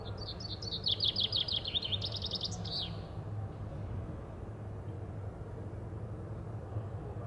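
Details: Common chaffinch singing between bouts of cleaning its feathers: a bright rattling trill of rapid repeated notes that steps down in pitch and ends in a quick flourish, then quiet with low rumbling background noise.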